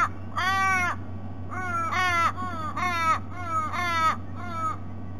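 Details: Noisy ravens visiting a sea-eagle nest in Sydney Olympic Park, Australia, on a February morning give a run of six wailing, nasal calls that bend downward, closely spaced, with a constant low electrical hum beneath.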